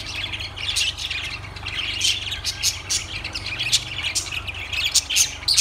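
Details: Shrill lovebird chirps and squeaky twitters come in uneven clusters, sharper notes rising above a busy chattering layer, with a faint steady hum low in the background.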